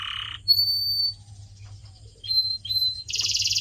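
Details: Sparse canary singing from a pet-bird training recording: a rasping buzz, thin level whistles with gaps between them, then a dense buzzy roll at the end.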